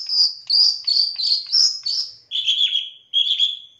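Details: Long-tailed shrike song meant to lure another shrike into singing and agitation. It produces loud, scratchy, high-pitched notes in a run of about five, then drops to slightly lower, harsher drawn-out phrases.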